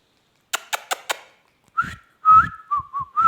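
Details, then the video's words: Four crisp clicks open the clip. A parrot then gives a run of short, clear, level whistles, some of them slightly bent. "talking heavan beutyfull beutyfull parrot"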